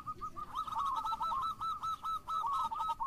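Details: Local zebra dove from Indonesia, kept as a lure singer, delivering a fast run of short, bubbling coo notes over noisy background hiss.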